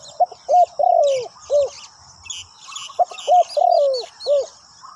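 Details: Spotted dove calling as a ground decoy for wild birds: two matching phrases of short, hollow coos and a drawn-out downward croon, about three seconds apart. Scattered high twitters of other birds and a constant thin tone behind.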